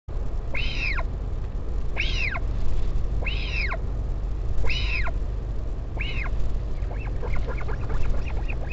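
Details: Northern royal albatross at the colony on Taiaroa Head near Dunedin, New Zealand, as a parent visits its chick on 16 July; five arched, rising-then-falling squeals about every second, then quieter rapid chatter, over steady low wind rumble.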